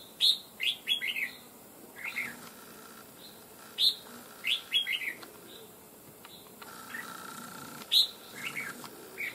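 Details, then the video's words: Freshly trapped wild red-whiskered bulbul, kept for fighting, gives loud bursts of bright chirped and warbled notes, pausing between phrases, over a faint background hum. "Bổi Cực Lì Sau Gần 2 Tháng 2 Ae Thay Nhau Bẫy.Đã Về Đội/Ché Đè/Bung Xoè/Cực Mau Mỏ Giọng To Chuông"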